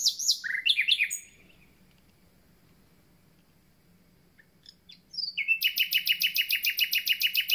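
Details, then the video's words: Common nightingale singing its arrival concert: varied whistles and chirps, a quiet gap of several seconds, then a rapid, evenly repeated series of loud notes with high overtones. "Słowik rdzawy i jego piękny śpiew"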